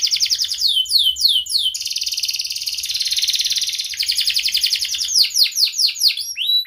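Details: Canary song with sharp chirps and rolled trills, for prompting silent canaries: falling swept notes, a sustained buzzy trill of several seconds, then quick descending chirps again.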